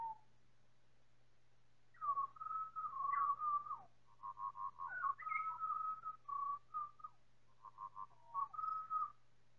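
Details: Pied Butcherbird chorus of four birds, time-stretched: a long flowing run of fluted, warbling whistles that bend up and down, in rapid linked phrases with brief pauses, against a quiet hum.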